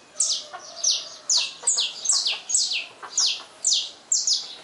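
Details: A saffron finch singing at dawn gives a run of bright, sharp chips, roughly two a second, each sliding down from high to lower pitch.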